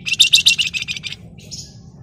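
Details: Fast ngebren trill from a Flamboyan bird: loud, shrill, evenly pulsed notes about eight per second that fade out, then a short faint high whistle.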